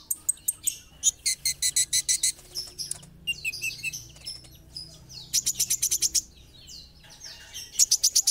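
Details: Olive-backed sunbird (kolibri ninja) in lively song: bursts of fast, very high, evenly spaced ticking trills alternate with varied thin chirps, sweeps and twitters, the trills returning several times across the stretch.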